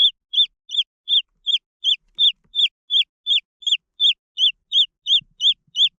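Green junglefowl chicks give high, downward-slurred peeps, about three a second, steady and insistent, with little else heard.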